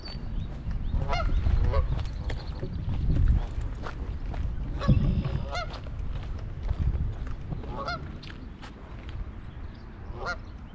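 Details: Many Canada geese with a large group of goslings on a Michigan pond, on the afternoon of 21 May 2021, give short, nasal honks in scattered bursts every two to three seconds over a heavy low rumble of wind.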